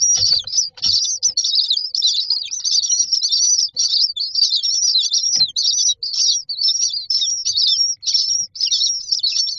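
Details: A brood of common myna chicks in a nest box cries almost nonstop for food, a dense run of shrill, grating chirps with only brief breaks and occasional low knocks.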